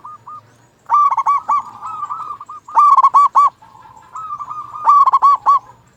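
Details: Lively local zebra dove song meant to provoke quiet doves into singing: rapid clipped hooting notes alternate with rolling level trills, the phrase repeating roughly every two seconds, with a faint low hum behind.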